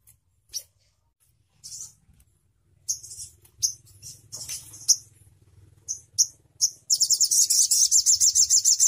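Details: Crimson sunbird: sporadic high chips and buzzy bursts over a low hum, ending with a fast, regular trill of sharp high notes lasting about two seconds.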